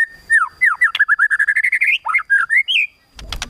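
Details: White-rumped shama in kretekan tembakan song, said to provoke emotion: a fast, steady chain of loud whistled slurs, mostly falling, then rising, ending with a brief scratchy rustle.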